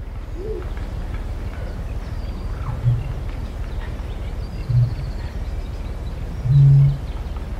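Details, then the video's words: Eurasian bittern booming, recorded at medium-close range: two short, deep grunting notes, then one long, very low, hollow boom near the end. Blue tit, wood pigeon, wren and reed warbler are named as background birds, and faint higher songbird notes are audible. "Eurasian Bittern / 'Booming' Call"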